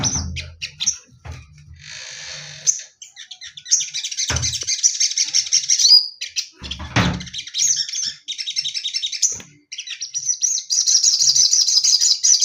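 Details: Caged male orange-headed thrush singing with a female close by: a fast, varied, high-pitched medley of rattling trills, buzzy bursts and sharp whistled notes, broken by a few short pauses and low thumps.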